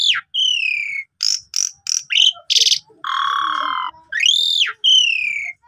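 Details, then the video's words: Richly varied Asian pied starling song used to coax a sulking bird: long descending whistles, short bright chips, a raspy burst, a sustained buzzy rattle and arched whistled notes that rise and fall. "Pancingan Jalak Suren Full Isian Mewah Melimpah!! Bagus Untuk Masteran Jalak Suren Pundung"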